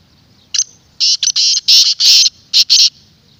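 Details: Black francolin, a clear and resonant call intended to draw wild francolins or excite a kept bird: a short opening note, then a dense run of about seven loud, rasping, grating bursts.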